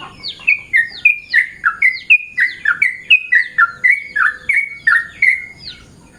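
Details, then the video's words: Yellow-vented bulbul in the morning giving rapid, chattering phrases of downslurred whistled notes, about three per second, fading toward the end, with low background rumble. "Bunyi burung trucukan saat pagi"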